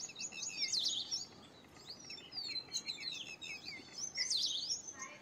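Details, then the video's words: Purple sunbird song heard as jumbled bursts of sharp, high chirps and twitters, rising and falling, over a steady hissing background. "Purple Sunbird Songs - Purple Sunbird Sound - Purple Sunbird Call - Purple Sunbird Singing"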